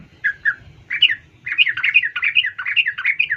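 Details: Female sooty-headed bulbul calling for a male. A few slurred chirps give way to a rapid, lively run of warbling chatter notes, with a soft low rumble in the background.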